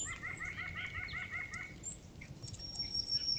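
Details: Bird song at a spot where squirrels and birds eat fallen seeds. A clear series of about a dozen quick, evenly spaced chirped notes runs for under two seconds. A few higher notes and a brief rustle follow.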